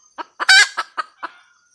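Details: Brief cackle from a female red junglefowl: a handful of clipped clucks around one loud, harsh, drawn-out squawk.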